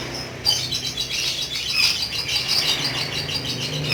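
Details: Pet lovebird in full 'ngekek' song, the long chattering style prized by Indonesian bird keepers: after a short quiet start, a dense, unbroken run of high, rapid, scratchy chirps and trills continues to the end over low background hum.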